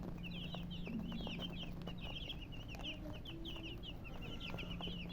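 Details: High-pitched cheeping of colour chickens, short falling notes repeated rapidly by several birds together, accompanied by a steady low hum and occasional soft taps.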